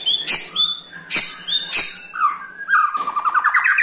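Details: Ketrekan of a white-rumped shama, aimed at making other shamas sing: three sharp, loud clicking bursts with thin whistles, then a rising series of quick repeated notes that speeds up toward the end.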